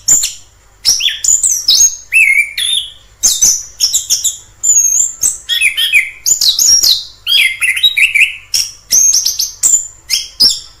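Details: Orange-headed thrush in the wild delivering a long, varied song of sharp high chips, clear whistles and quick slurred phrases, delivered in fast bursts with short pauses, mimic-like in its variety.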